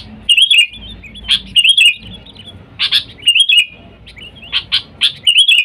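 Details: A sooty-headed bulbul calls out to wild birds, used for luring: bright chirps in tight clusters linked by gurgling warbled phrases, bursts recurring every second or so, light low hum behind.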